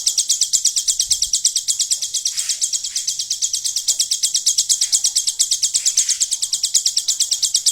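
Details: Caged hill prinia singing with a golden grasshopper imitation: a long run of rapid, evenly spaced, high buzzy pulses, almost three per second, steady and insect-like throughout.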